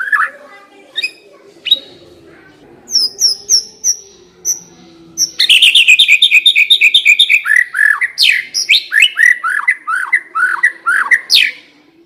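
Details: White-rumped shama lure song to make a shama sing quickly and openly: scattered high chips, then a fast rattling trill of repeated notes, flowing into a series of descending slurred whistles about twice per second.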